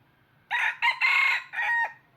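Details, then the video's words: Red junglefowl decoy bird used for trapping crows once: four harsh, broad syllables over about 1.4 seconds, the long third note held steady before a shorter closing note, against a quiet background. "Tiếng Gà Rừng Mồi Gáy Cực Hay"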